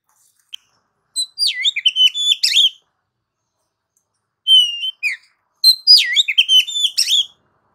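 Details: Oriental magpie-robin song, a bird kept for song: varied phrases of clear whistled notes between 2 and 4k with rapid chattery flourishes, delivered in two bursts separated by a few seconds of silence; no other sounds.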